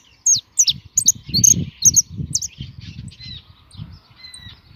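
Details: A pet European goldfinch sings a quick string of sharp, tinkling chirps, then two thin, drawn-out whistles. Low rustling and thumping sounds run underneath.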